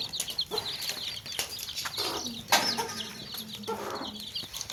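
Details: Baby chicks chirping in a basket, with many high, rapid peeping notes crowding together, plus low hen clucks and scattered scratching and knocking noises.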